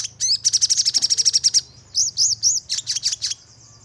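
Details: Crimson sunbird lure recording for provoking aggressive 'nembak' singing. Opens with a rapid series of about fifteen sharp, high ticks, then several arched, squeaky whistled notes and a few buzzy clicks over a low hum.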